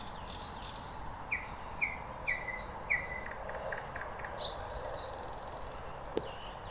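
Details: Thrush nightingale (Luscinia luscinia) singing at Lake Iidesjärvi, Tampere, Finland: rapid short sharp high notes, clicks and descending whistles for several seconds, then a long thin high whistle.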